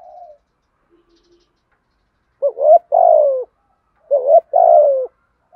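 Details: Spotted dove giving a 'giọng thổ' thúc gù call, used to provoke wild doves into calling back; male and female birds. Two hoarse, mid-pitched cooing phrases, each a short rising note followed by a longer falling coo, separated by silence.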